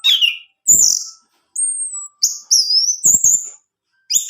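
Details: Orange-headed thrush song played to make a caged male sing: high whistled slurred phrases separated by short pauses, some descending, with faint low knocking sounds between phrases.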